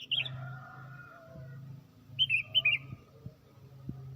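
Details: Tame sooty-headed bulbul singing in the morning, used as a lure for trapping birds: after a short opening phrase, a quick run of four or five bright, bubbly notes, over a steady low hum.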